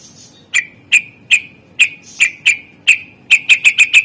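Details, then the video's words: Greater green leafbird, recorded as a master track to stir silent birds into song: ringing whistled chips repeated at first every half second, then speeding into a rapid run of five notes at the end. "Cucak ijo gacor SUARA ISIAN masteran untuk pancingan burung yang malas bunyi"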